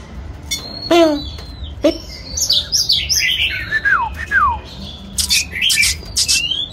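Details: Singing white-rumped shama performing a display, delivering a rich medley of sliding whistles, sweeping downward slurs and harsh clicking bursts in quick succession, over a quiet low hum.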